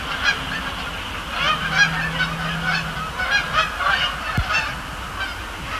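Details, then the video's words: Canada geese on Sapsucker Woods Pond in late October at night, during fly-overs and landings; a loose chorus of honking calls over a low steady hum, with a sharp click toward the end. "Canada Geese, Thursday night at Sapsucker Woods"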